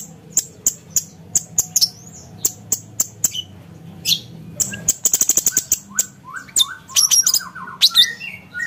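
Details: Grey-cheeked bulbul (cucak cungkok) in sharp 'nembak' tutor song for contest birds: evenly spaced high ticks, a rapid rattle, then varied whistled and slurred phrases.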